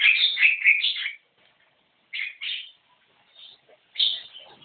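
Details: Javan myna giving loud, raspy, chattering notes run together for a second, then shorter harsh squawks spaced by pauses.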